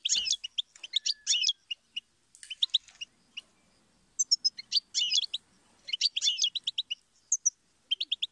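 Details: Goldfinch singing a fast, tinkling twitter of high chirps and trills in dense bursts, with short pauses between phrases and buzzy notes mixed among the clear whistled elements.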